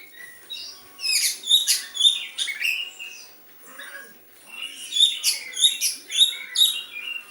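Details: White-rumped shama singing in sooty-headed bulbul style, two loud bouts of rapid ringing chips and buzzy slurs separated by a quieter pause, notes repeated roughly twice per second.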